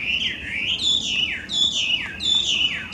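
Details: Wild Chinese hwamei, an invasive introduced bird in Japan, sings loudly: slurred whistled phrases that swoop down and rise again, about four in three seconds, with faint low background hiss.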